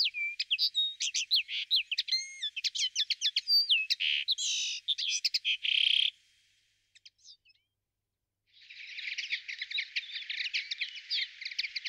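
Common linnet singing a fast, varied twittering medley of high chirps, short trills and slurred notes. After a brief pause it ends in a dry, buzzy rattling phrase.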